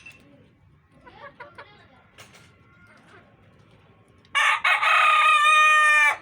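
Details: Domestic rooster kept with hens: quiet scattered clucks for four seconds, then a sudden loud, rich crow lasting nearly two seconds, held steady and cut off sharply.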